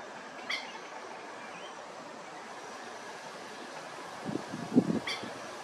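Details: A plover, with chicks nearby at a mulch pile, gives two short, sharp, high notes about four and a half seconds apart over a steady hiss, with a few low thumps near the end.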